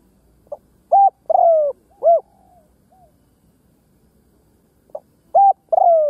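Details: Decoy spotted dove cooing to draw in wild doves. One full phrase: a quick soft note, a loud coo, a long falling coo and an arched closing coo. After a pause of about three seconds, the next phrase begins.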